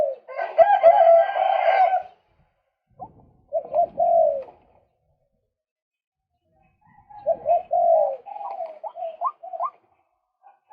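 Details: Male white-breasted waterhen on a lure recording used to attract birds: a harsh, rasping burst first, then after a pause bubbling croaks, silence, and a final run of short croaks that climb upward in pitch.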